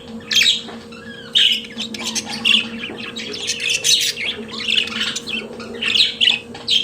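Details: Singing pet budgerigars: harsh squawky notes and bright chirps run together into a continuous warble, louder bursts rising now and then above a low hum.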